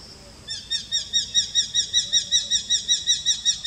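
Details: A Eurasian hobby (Falco subbuteo) in Kashmir gives a rapid, even series of sharp, high kew notes, several per second, over faint background hiss.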